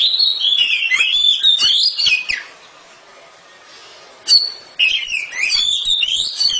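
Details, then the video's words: Oriental magpie-robin kept at home, loud song: fast warbled and whistled notes for two seconds, a quiet gap, a single sharp note, then another energetic burst of tumbling high phrases. "KACER RUMAHAN KICAUNYA NYARING"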